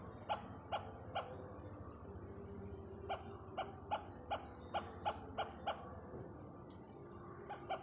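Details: Great hornbill, known locally as malamuzhakki vezhambal, visiting Pathanamthitta; a rapid series of short, hollow barking notes, several bursts with brief pauses between, fairly faint against a steady background hiss.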